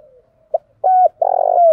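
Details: Spotted dove giving a driving coo meant to spur newly caught doves to coo quickly: short low coo notes, then a longer throbbing, drawn-out coo ending in a descending tone, all clear and close.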